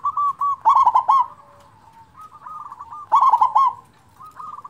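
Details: Local zebra dove song meant to prompt lazy doves to sing: soft rolling coos open, then a loud husky burst of quick cooing notes, more gentle trilled coos, and a second loud burst.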